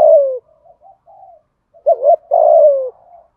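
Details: Spotted dove giving cooing and calling notes in the prized 'hạp bổi' voice style: a loud slurred coo falling at the end, soft short notes, then a double wavering note and another long falling coo.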